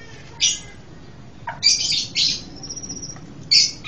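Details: Panca Warna bird singing with many variations, a recording used for tutoring and as a trapping lure: short bright buzzy phrases high in pitch, separated by pauses, one thin sustained whistle between bursts.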